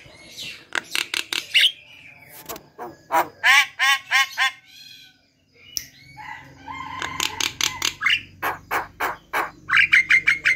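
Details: Javan myna in vigorous full song, meant to prompt quiet or lazy mynas to sing: bursts of harsh, broad squawking notes and clicks, some sliding whistles, a short pause mid-phrase, then rapid repeated chattering notes and a high whistle.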